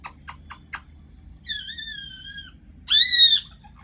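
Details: Angry parrot: four quick dry clicks, then a strained, drawn-out nasal call and finally a loud, harsh, ringing scream lasting about half a second.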